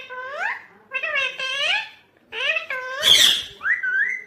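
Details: Rose-ringed parakeet, the ringneck green parrot, giving a run of harmonic, rising and falling calls, several drawn-out notes with short gaps, ending in a harsher burst and a final upward-sliding note.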